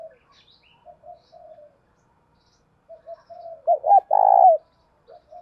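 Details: Decoy spotted dove in thổ bầu voice, calling to provoke fighting: quiet muffled coos, then a rising burst of two clipped coos and a burred, throaty longer coo.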